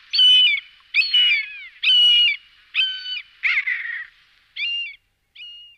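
Common buzzard giving a series of about seven nasal, mewing cries, each roughly half a second long, spaced about a second apart, slightly falling at the end.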